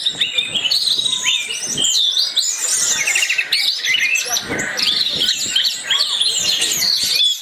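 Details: Orange-headed thrush song serving as a lure for other birds: energetic varied phrases mixing sweet whistles, short rattling trills and sharp chips, delivered nonstop at high pitch.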